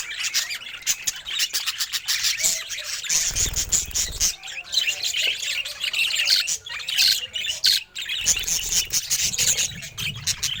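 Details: Contented pet budgie warbling steadily: rapid high twitters, squeaks and scratchy notes running together without pause, a faint low rumble underneath at times.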